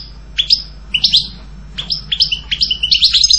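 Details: European goldfinch song delivered in short bursts: separate bright, twittering chirps and quick slurred notes spaced about half a second apart, growing denser toward the end; faint low background hum.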